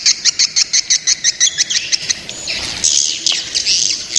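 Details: Young swiftlets calling: a fast series of sharp, high chirps, about three per second, with a doubled upper band. The series then breaks into a denser, buzzy twittering toward the end.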